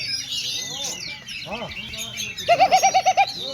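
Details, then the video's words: Oriental magpie-robin singing at a 2024 songbird contest in Aceh: rising whistles, then a fast run of seven loud, even notes, with other birds chattering behind and people talking. "GANTANGAN KACER"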